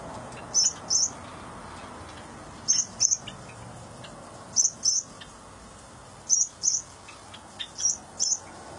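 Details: Baby cockatiel being fed by its mother gives high, thin paired chirps, repeated in pairs roughly every two seconds over a low steady hiss.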